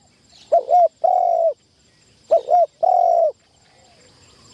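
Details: A spotted dove kept as a trapping decoy, training in an enclosure for the first time, gives two phrases, each two short clipped coos followed by one long, steady, mellow coo, with quiet gaps between.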